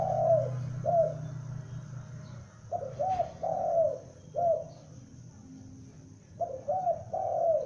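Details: Calling young spotted dove, a lure bird, repeating groups of two or three soft, slightly wavering coos, each group about two seconds apart, with faint low hum early on.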